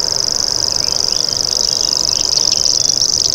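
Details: Unbroken, high, buzzy reel of a common grasshopper warbler, steady in pitch and pulse rate from start to finish, with faint twittering of other birds beneath.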